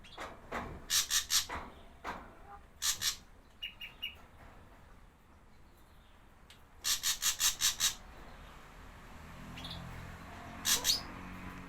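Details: Ashy drongo of Java, played as a lure for wild birds: scratchy rasping bursts in runs of four to six, interspersed with brief thin whistles and a few isolated clicks.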